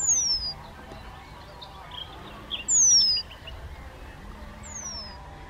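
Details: Young Eurasian penduline tits feed on the Zámecký pond shore at Chropyně, 3 July 2019. Three drawn-out, piercing whistles fall steadily in pitch, about two seconds apart. Faint other bird notes and a low background hum accompany them.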